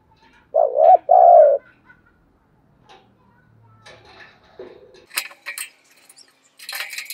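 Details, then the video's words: Spotted dove used as a decoy, cooing hard: a loud two-note hoot, the second note longer and falling slightly, then scattered clicks, taps and rustles. "Chim Cu Mồi thúc gù sung"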